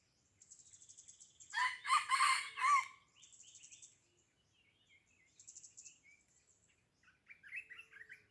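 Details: Red junglefowl from Blang Ulam, Krueng Raya, Aceh, giving one loud, harsh, hoarse crow of about one and a half seconds in three pulsed bursts. Faint high chirps come before it, and small birds twitter thinly afterward.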